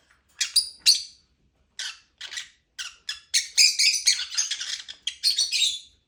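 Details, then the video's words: Lovebird chirping in quick, shrill, scratchy notes, sparse at first and then building into a dense run of rapid chirps near the end. "Lovebird chirping sound"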